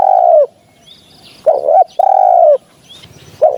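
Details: Recording used as a hunting lure for spotted doves: one dove gives long, level, husky coos broken by short clipped notes, loud and close, with faint small-bird chirps behind.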